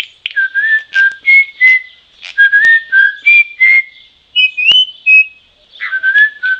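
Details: Troupial giving varied clear whistled notes, some rising and some falling, in quick uneven runs with brief pauses between phrases, plus a couple of sharp clicks.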